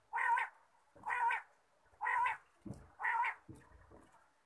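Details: Quail calling in the morning: harsh, nasal notes, four evenly spaced about once a second, each followed by a faint low thump.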